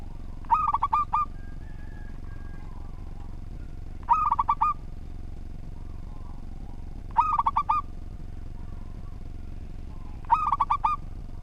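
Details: Local zebra dove in full, orderly song used for training other birds. Four matching phrases roughly every three seconds, each a short burst of quick, ringing, stuttering coos, against a steady low hum.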